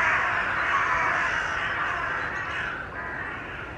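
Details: Group of Carrion crows meeting in a large tree in Children's Wood, Hull, displaying with posturing and tail fanning but no aggression; harsh hoarse caws overlapping into a steady raucous chorus, several calls a second without pause.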